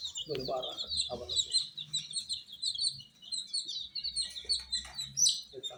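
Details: Baby chicks chirping nonstop in a warmed enclosure: a dense chorus of high, sharp peeps running almost continuously, with a few low clucking or knocking sounds early on.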